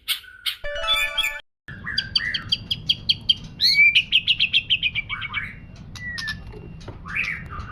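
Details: Varied song of a white-rumped shama, played to stir rival shamas to sing: a quick run of clear whistled and slurred notes in rhythmic series, with sharp upward and downward sweeps and short gaps between phrases.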